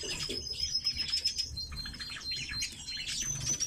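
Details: Several red-billed leiothrix (Leiothrix lutea) sing at once, with quick overlapping high chirps and warbled phrases over a faint, thin, steady whistle.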